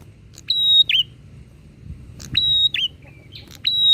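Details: Bar-winged prinia singing persistently, back and forth, to provoke other prinias: three phrases, each a sharp click, a steady high whistle and a dipping lower note, spaced about 1.5 seconds apart, with faint low background rumble.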